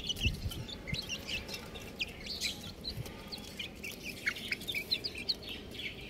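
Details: Several young domestic chicks peeping together: short, high, thin chirps, many sliding down in pitch, tumbling over one another at an irregular, busy pace, with a few soft low thumps and faint background rumble.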